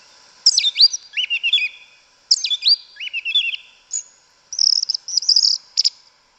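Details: Wild yellow-legged thrush (sabiá una, sabiá preta) in forest giving its canto mateiro song: two loud phrases of falling whistled notes and quick slurred trills, then a rapid, high, chattering sequence of repeated notes.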